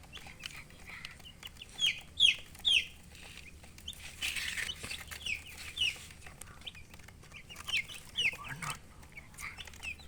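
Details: Chicks chirping with hens: rapid high downward-sliding peeps in clustered bursts, a stretch of rustling noise mid-way, then more peeping over a faint low hum.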